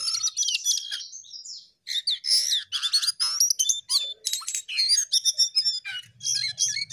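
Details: Jongkangan in energetic gacor singing: rapid high chattering chirps and slurred whistles in dense bursts, pausing briefly before going on.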